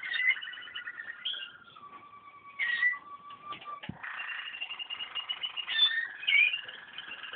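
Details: Waterslager canary sings slow, flowing phrases: rolling bubbling trills, sustained pure whistled notes, and warbled passages at middle pitch, with a brief click midway.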